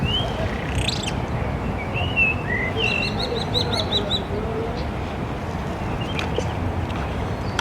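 Spotless Starling song: a varied jumble of slurred whistles and a quick, buzzy rattle of clicks, over a steady low rumble of wind.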